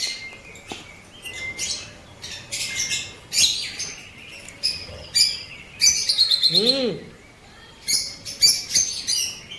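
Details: Blue-coloured pet lovebirds, opaline and parblue opaline, from Pakistan: scattered bursts of high, piercing chirps and short twittered runs, with a lower arched squeak in the middle.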